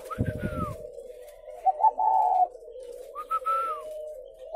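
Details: Spotted doves at a dove-rearing farm in Ba Vì, Vietnam: a higher arched, slurred note over low thumping, then a full mellow coo phrase, and another rising-falling note near the end.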